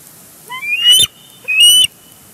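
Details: Bald eagle pair at their Big Bear Lake nest on June 23, 2022, filmed by a live camera as one tackles the other for a big fish; two high, rising whistled calls, each ending in a stuttering burst.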